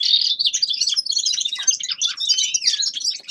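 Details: Continuous rapid twittering from a young male common linnet rehearsing its song in winter, with jumbled chirps, a few thin whistles and brief trills packed tightly together.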